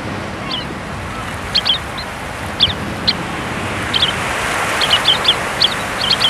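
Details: Sanderlings (Calidris alba) on a North Sea beach on Texel, chasing the waves for food, give short, sharp, high 'twick' notes, singly and in quick clusters, over a steady roar of surf.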